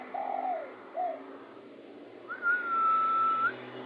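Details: A spotted dove, very heated and used to lure birds, gives a low rolling coo and a brief second note, followed by a drawn-out, steady whistled tone lasting over a second.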